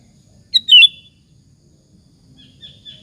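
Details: Sooty-headed bulbul lure song to make other bulbuls answer: one short, sharp, falling liquid phrase, then a faint thin whistle near the end.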